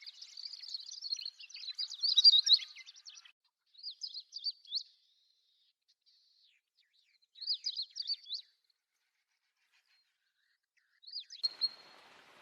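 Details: Bursts of rapid, high-pitched twittering from a Siberian long-tailed rosefinch: a long run at first, then shorter phrases separated by a few seconds of silence.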